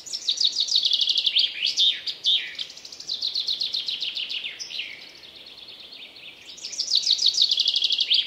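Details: Common chaffinch singing in the wild, repeating its song several times in about eight seconds. Each is a brisk, accelerating rattle of high notes tumbling downward and finished with a sharp flourish, with little pause between phrases.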